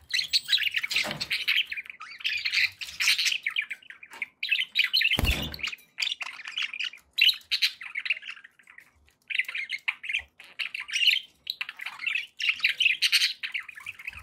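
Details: Several pet budgerigars warbling and chirping for a long stretch, dense scratchy chatter and tweets broken by short pauses and an occasional sharp broadband clatter.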